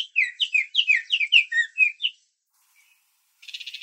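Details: Baltimore oriole in a backyard it visits each year for grape jelly: a song of about a dozen quick, clear whistled notes over two seconds, some rising and some falling, then a brief burst of noise.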